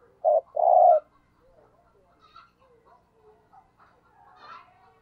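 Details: Spotted dove decoy in thúc gù cooing: one short coo and a long hoarse coo at the start, then softer chirps and calls of other birds.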